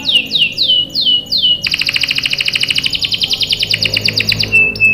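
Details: Canary, said to be a female in breeding condition calling the male, singing five looping downslurred whistles followed by a long, fast rattling trill of rapid pulses and a closing steady whistled note.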